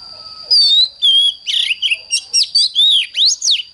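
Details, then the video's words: Hard-driven 'căng lửa' morning singing from an oriental magpie-robin: two clean drawn-out whistles, then a lively burst of short slurred, buzzy and upward-swept notes, with a constant high background tone throughout. "Chích choè than hót sáng || Luyện choè than HÓT CĂNG LỬA"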